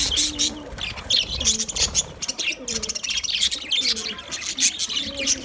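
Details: Budgerigars talking to each other: dense, rapid high chirps and scratchy warbles overlapping continuously, with lower smooth gliding tones, possibly music, running beneath.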